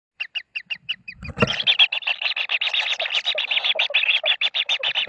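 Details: Common kingfisher chicks at the nest while being fed: a few short, evenly spaced high notes, then a thump and a dense, rapid chorus of buzzy, pulsing calls that runs on without pause.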